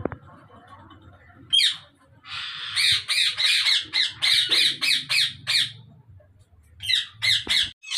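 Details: Harsh, scratchy squawks from rose-ringed parakeets in a Pakistani breeding colony, 2022, repeated rapidly about three times a second in a long even series, pausing, then resuming with several more.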